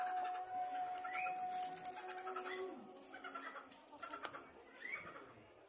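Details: Rooster or hen among village chickens foraging in a village garden, crowing noted; a long steady drawn-out tone that drops lower and ends falling, followed by softer repeated notes and brief higher chirps.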